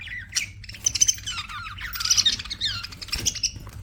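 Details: Budgies in a busy burst of chirps: dense scratchy warbling with bright high squeaks and rising notes packed together, over a low hum.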